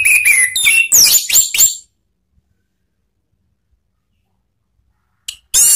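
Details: Orange-headed thrush ngeplong and ngeriwik song, used to lure cage birds: nearly two seconds of quick, varied sliding whistles and chirps, a long silence, then a short high note and a fresh burst.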